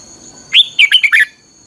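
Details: A red-whiskered bulbul delivers one short melodic phrase for song training. It has five quick fluty notes with upward and downward slurs, ending lower. A soft high-pitched hum continues throughout.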